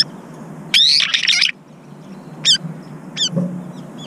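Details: A brown-eared bulbul fight over food at a feeder: a loud, rasping, high squealing burst lasting nearly a second, followed by three short piercing calls spaced under a second apart.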